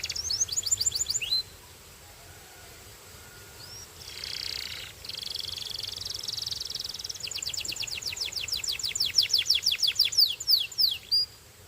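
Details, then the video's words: Belgian canary singing: a burst of fast high descending notes, a pause, then a soft buzzy rolling passage followed by a long rapid trill of sharp slurred notes that strengthen toward the end. "Belgian Canary Singing"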